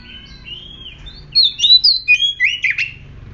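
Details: Lure song of an aggressive oriental magpie-robin: a quiet, drawn-out whistle, then a quick string of loud, varied, sliding whistled notes ending in a scratchy burst.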